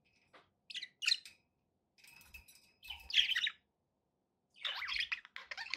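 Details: Pet budgerigars give short, separated bursts of bright chirps and scratchy squawks with quiet gaps between them, plus faint soft knocking sounds.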